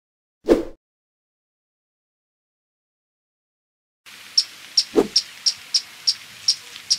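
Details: Violet-crowned woodnymph giving sharp, high chip notes in a steady series, about three per second, after a quiet opening. A brief low thump occurs near the start of the series and another, separate thump before it.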